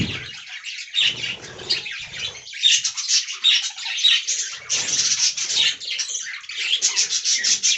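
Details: A flock of caged budgerigars in an aviary, with overlapping warbled chirps and squawks that build from sparse calls to a dense, unbroken chattering stream, and faint low rustles.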